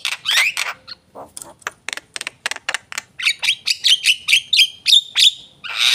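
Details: Javan myna in full song, opening with loud grating squawks, then sharp clicking ticks in a fast series, building into rapid chattered phrases with thin whistled slurs and ending on a harsh burst.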